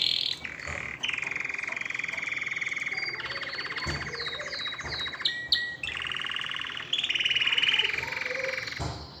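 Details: Canary singing to stimulate females to mate: a long run of fast rolled trills, each tour held steady then switching pitch, with high whistled notes, short chips and a brief break midway.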